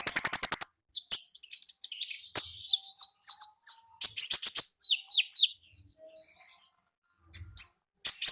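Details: Konin recorded in the wild, singing lively 'gacor ngalas' style: a fast rattling series of high notes, then sharp high chirps and descending slurred whistles in quick bursts with short pauses.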